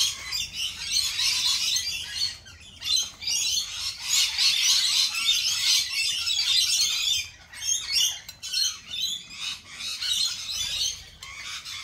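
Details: Lorikeets give continuous shrill, buzzy chattering, many overlapping high squeaks and screeches in waves, with a few short gaps.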